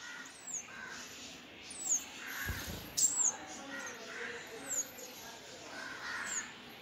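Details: Sunbird chicks begging in the nest as both parents feed them give thin, very high downslurred squeaks roughly every one and a half seconds over a steady murmur of background noise.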